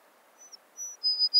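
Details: An American Tree Sparrow, a winter visitor to Illinois from far-northern tundra that arrives October–November, gives a few thin, high, clear notes running into a brief sweet phrase over a faint low hum.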